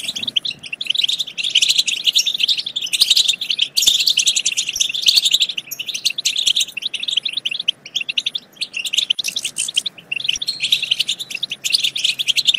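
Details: European goldfinch song used to stimulate singing and mating. Long, lively, high-pitched twittering with quick chirps and liquid trills, a short lull near nine seconds, then renewed bursts.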